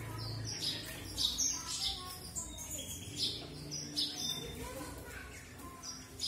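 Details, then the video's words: Red avadavat, also called strawberry finch, singing a series of thin, high chirps and short twittering notes at irregular intervals, with a faint low hum and a trace of voices in the background. "Red Avadavat Premium or Strawberry Finch"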